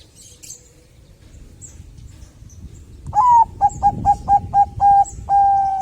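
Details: Bangkok zebra dove singing to prompt other doves: faint background at first, then a rising first note, a fast series of short mellow coos, and a long sustained final note.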